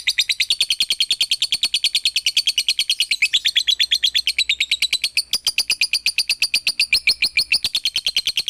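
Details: Rapid, unbroken chattering of a lovebird, a recording meant to spur other lovebirds to sing; shrill chirps follow one another several times a second, rising slightly in pitch after the midpoint, with no other sounds.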